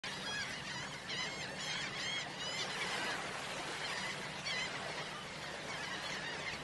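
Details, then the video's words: Shorebirds in a flock keep up a dense, overlapping chatter of high, wavering calls, with a steady wash of background noise throughout. "Shore birds sound"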